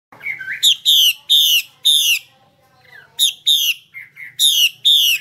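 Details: Female Chinese hwamei calling to stir males into singing; a short rising whistled slur opens, then loud harsh buzzy notes come in two bursts of three and four, about every half second, with a quiet gap between.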